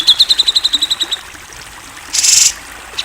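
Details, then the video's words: Grey-cheeked bulbul tutor song described as clear and national-champion quality: a fast string of bright, repeated high chirping notes, then a short harsh buzzy burst. "MASTERAN CUCAK JENGGOT GACOR SUARA JERNIH!"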